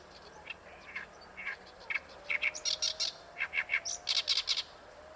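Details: Oriental reed warbler singing at Ikejima, Japan: loud, harsh chattering notes repeated in rapid rhythmic bursts, some grating and some higher and squeakier, over faint steady background hiss.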